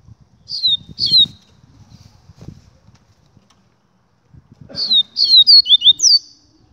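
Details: Double-collared seedeater singing: two bursts of high, sharp whistled notes, each slurring downward, the second burst longer and busier, over low background rumbling.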